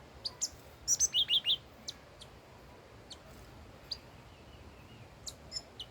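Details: Old wild red-whiskered bulbul singing: a few sharp high chips lead into a loud phrase of four rapid, rolling whistled notes, followed by sparse faint ticks and chirps over quiet hiss.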